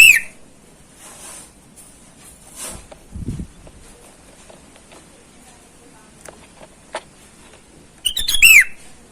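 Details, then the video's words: Wild sooty-headed bulbul calling to rivals, a lure call for wild birds. A whistled call is cut off at the very start, followed by long quiet with faint knocks and rustles, then one clear burst of fluty notes falling at the end. "burung kutilang gacor memanggil lawan di alam bebas"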